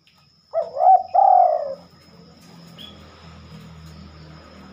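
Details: Spotted dove rarely heard singing at night: a loud burbling coo phrase, a short wavering note then a longer steady, slightly falling one, followed by quiet low hum and one faint high chirp.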